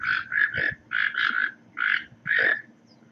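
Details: Toco toucan uttering a rapid run of gruff, grunting croaks grouped in quick pairs and triplets, rough and buzzy, with a quiet backdrop.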